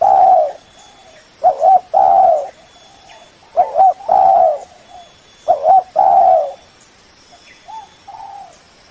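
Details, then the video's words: Lure call of a spotted dove meant to summon a rival, with the same phrase repeated four times, a stuttering double coo then a long loud coo, softer answering coos trailing in between. "Suara burung Tekukur pikat paling ampuh, memanggil lawan"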